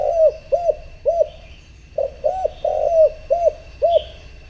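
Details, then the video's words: Decoy spotted dove calling to draw wild rivals: repeated deep, soft coos in a brisk, slightly uneven rhythm, one drawn-out coo among them, a short pause midway, faint bird chirps in the background. "Cu gáy mồi thúc gù gọi bổi , kích cu gáy gù gáy"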